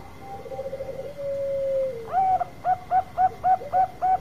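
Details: Zebra dove of the Bangkok variety with a long-voiced song used as a lure to provoke other birds: one long, low, gently falling coo, then six short, clipped coos repeated about every third of a second over a faint steady hum.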